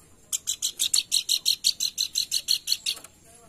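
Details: Pelanduk bukit, played as a lure to stimulate singing: a steady, unbroken string of about fifteen sharp, high chirps at roughly four per second.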